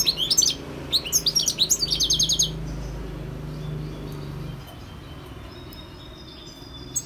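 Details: Wild European goldfinch song, a lively run of sharp, high, liquid twitters and quickly repeated clipped notes for about two and a half seconds, fading into quiet background hum with faint distant chirps.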